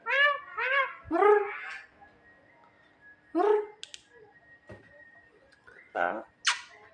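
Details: A smart, funny Javan myna gives two quick nasal notes followed by a longer buzzy one, then a pause, a single harsh call, and a high thin squeal at the end.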